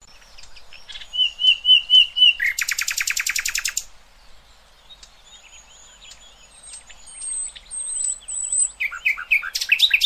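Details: A nightingale sings varied phrases, a recording for tutoring young goldfinches and hybrids: a run of clear whistled notes, a loud rapid rattling burst, then thin high whistles and sharp chirps.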